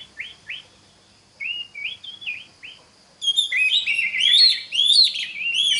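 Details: Oriental magpie-robin song used to prompt other magpie-robins to learn singing: short rising whistled notes, then a dense rich burst of varied whistles and chirps.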